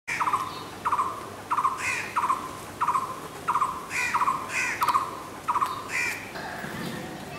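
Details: Blue-throated barbet calling from trees where it was often heard but hard to spot among the leaves; a loud note repeated about every 0.7 seconds, each opening sharply and trailing into a rolling tail, over steady background hiss.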